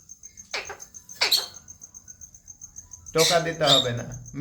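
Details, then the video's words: Talking parrot uttering two short, raspy speech-like words about a second apart, then a longer, lower voice-like phrase, all over a steady high-pitched whine. "talking parrot"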